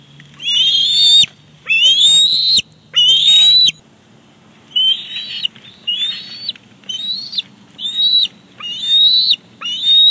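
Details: Big Bear Lake bald eagles, 18 July 2019: the father brings dinner, a fish the chick quickly seizes. Three loud, squealing whistles are followed by a run of five softer, shorter, upward-bending whistles.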